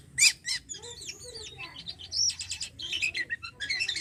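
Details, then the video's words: Javan pied starling in captivity singing a rich mix of loud harsh chips, looping whistled phrases and rapid buzzy trills, delivered in a continuous, varied stream. "jalak kapas gacor ampuhh merangsang burung jalak anda"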